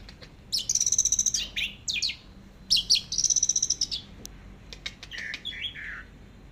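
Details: Teler-style song of an orange-headed thrush from a long tutor recording: two loud bursts of fast, high, rattling repeated notes, each about a second long, followed by softer falling whistles.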